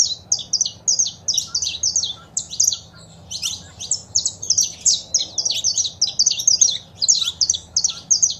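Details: Saffron finch song with female calls, meant to rouse a caged bird into singing: nearly continuous rapid string of sharp high chirps, brief lull midway, then renewed dense twittering.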